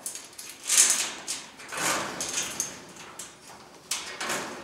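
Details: Cockatoos in family life: harsh, broadband screeches, the loudest one near the start, followed by several shorter rasping bursts and scattered clattering noises.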